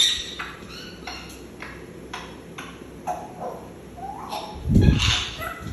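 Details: Pet African grey parrot whistling the tune Nukavaliya and sneezing: short tonal whistled notes at steady intervals, then a brief broad noisy burst near the end, over a low steady background hum.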